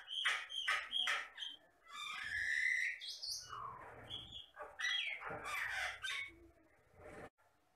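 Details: Jalak Batam myna singing vigorously: a varied mix of harsh scratchy chatter, rising squeals and a drawn-out raspy note, with quick jumbled phrases before falling silent.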